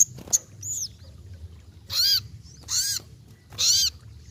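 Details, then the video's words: Ruby-cheeked sunbird singing actively: high chips, then three loud, buzzy, arched phrases spaced about a second apart. "Terapy Bunyi Burung Sogokontong Gacor"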